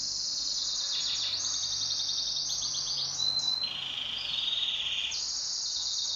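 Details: Pet canary singing in a duet: sustained high trilled phrases, a fast rattling tour mid-way, then a lower steady buzzing roll before the song climbs back to a bright high trill.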